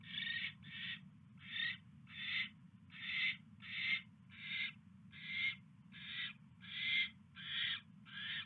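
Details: Owls at a nest during an evening mouse delivery on 29 January 2016; harsh, noisy hissing screeches in short bursts, about twelve in a row, each under half a second, with a steady low hum beneath.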